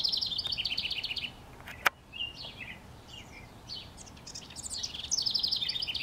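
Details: A house wren sings from a treetop in NW Regina, Saskatchewan, Canada, May 25, 2015. It opens with the loud tail of a rattling trill, then a sharp click and scattered soft chips. A new bubbly, descending song bursts out at the end.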